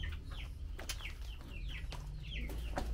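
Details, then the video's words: Female Chinese hwamei calling to the male while being fed mealworms: short, slurred notes that sweep downward, repeated irregularly several times a second over a steady low rumble. "Tiểu mi mái chép gọi trống khi cho ăn sâu gạo"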